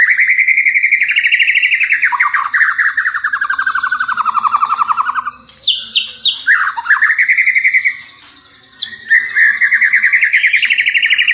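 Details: Champion white-rumped shama song used as a lure for other shamas: loud, sustained rapid trills gliding slowly down, broken by a burst of high chips and swooping notes.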